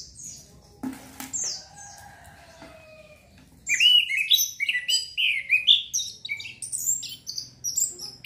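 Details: Orange-headed thrush song meant to stir breeding urge. Faint scattered sounds and a few low tones come first, then a lively burst of high, tumbling whistled notes and chirps runs without a break to the end.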